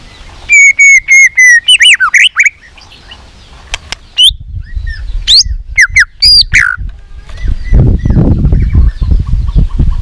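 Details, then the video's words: White-rumped shama singing in many voices to stimulate other shamas: a row of loud, level whistled notes, then twisting slurred whistles and sharp high notes, with a rough, noisy rustling background building toward the end. "Kích Chòe lửa hót nhiều giọng"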